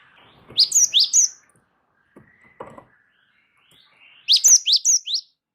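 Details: Rolling song of a Java sparrow (gelatik wingko) recorded for tutoring: a run of four high, bright chip notes, a few soft knocks, then a second faster series of five sharp chips.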